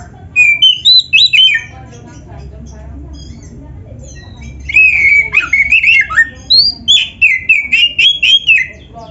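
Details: Oriental magpie-robin pouring out a mimicry-filled song suited to tutoring other birds: a quick chattering burst, a pause with faint background noise, then a long run of rapid, rhythmic sliding whistles.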